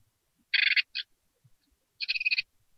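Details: Hungry great tit chicks, recently hatched inside a nest box, beg for food with loud buzzy rasping bursts: a long grating outburst, a short one, then another long rasp after a pause.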